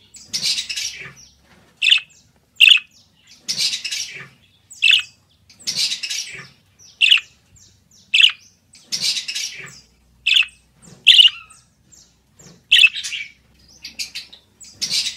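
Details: Budgerigar (Melopsittacus undulatus) chatter, played to tame pet budgerigars: bright, scratchy chirps in short bursts, roughly one every second, each burst high, with a soft low thud under some. No other sounds.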